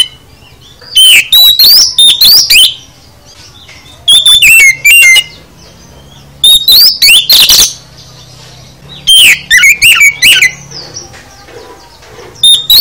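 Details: Oriental magpie-robin (kacer) singing a 'full isian' song meant to prompt other kacer to answer: loud bursts of sweet whistled and sharply rising notes with scratchy high trills, in four phrases separated by pauses of about one to two seconds.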